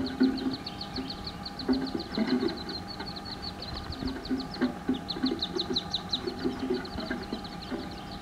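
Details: Wood duck hen gives low, soft clucking bursts as she leads her eleven ducklings, hatched a day earlier, to jump from their nest box on May 17, 2015; the ducklings' high, thin, falling peeps run throughout.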